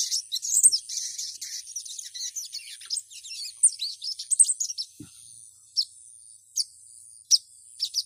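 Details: Female ruby-cheeked sunbird calling to a male, played as a lure to stir males into singing: rapid high, thin chirps and twitters in a busy burst, then separate sharp single notes spaced about a second apart, over a steady high hiss.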